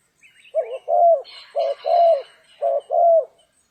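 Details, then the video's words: Spotted dove recorded during trapping on a stormy, rainy day: loud, low cooing in three paired phrases, each a short coo followed by a longer drawn-out coo, about one per second, with faint higher chirps in between. "Chim cu gáy"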